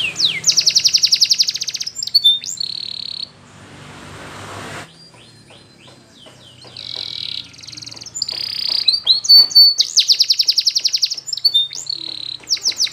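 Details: Belgian canary singing for training: a fast trill and whistles, a pause with noisy rustle and quiet chips, then renewed rolled trills and sweeping notes.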